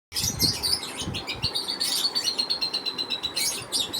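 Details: Lovebirds, a family of caged birds at feeding time, chirping busily: dense high chirps and a sustained thin whistle-like tone running through, with soft thuds and movement noise below.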